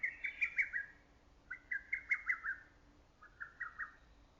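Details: Lesser cuckoo in early summer forest, its loud voice ringing through valley and woods: three fast, chattering phrases of five or six clipped notes, each about a second long, separated by short pauses.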